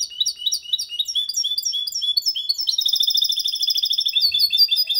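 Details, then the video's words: Goldfinch × canary hybrid singing cleanly without errors, a song for stimulating females and teaching young goldfinches: continuous high twittering with sliding notes, then long fast rattling trills of evenly repeated notes. "Mixto de Jilguero Cantando Limpio sin errores"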